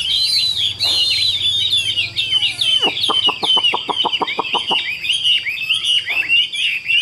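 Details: Caged Chinese hwamei warbling high and fast, mixing in a rapid series of about ten sharp, dry, descending notes at an even beat before returning to varied whistles.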